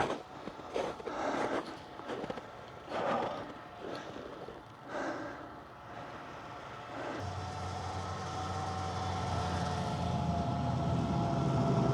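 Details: Rumbling vehicle noise with breathy bursts, settling into a steady engine drone; no animal calls are heard.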